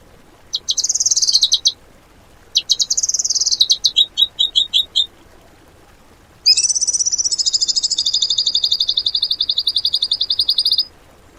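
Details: Song material for tutoring cage birds: high, fast chattering trills and buzzy rattles in bursts, then a long, steady, rapid trill of repeated notes lasting about four seconds.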